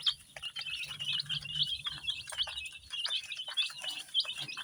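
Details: Numerous baby chicks, dyed in many colours, keep up rapid high-pitched peeping in short overlapping bursts, with a faint low hum beneath.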